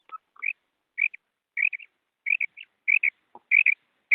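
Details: Female common quail calling, a sound used by hunters to lure quail in ripe wheat, with clean short high chirps, mostly rising, given singly or in quick pairs about every half second against silence.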